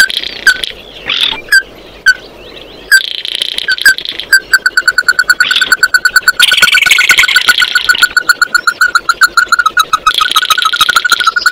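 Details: Oriental white-eye song used to gather the flock: scattered slurred notes and a short buzzy trill, then a long steady train of quick repeated mid-pitched notes with loud buzzy chattering over part of it.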